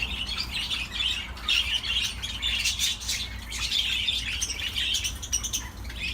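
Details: Budgerigar song as a long, continuous warble of buzzy chirps, clicks and squeaky whistled notes, rising and falling in loudness through several overlapping phrases, steady low hum behind.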